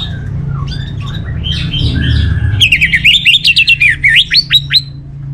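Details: Orange-headed thrush song. Quieter mixed whistles build into a fast series of loud, bright, down-slurred notes repeated about twice a second to the end. Low hum in the background.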